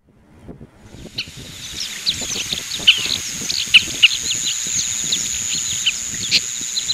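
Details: Oriental pratincole calling: a fast, uneven stream of short, sharp, downslurred chirps, several birds overlapping, over a steady high-pitched insect-like whine and low rustling noise.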